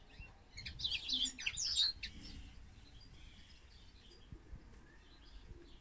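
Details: European goldfinch song, heard alongside a linnet: a short burst of quick, high twittering notes about a second long, then fading to faint scattered chirps over quiet background noise.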